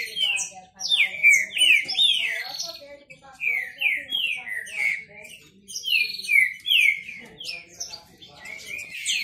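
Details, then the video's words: Competing male Green-winged saltators, kept birds, in a singing contest: bursts of loud, clear whistles dropping steeply in pitch, repeated in bouts about every second, with rival phrases answering. "Esquente seu trinca ferro disputa e macheado"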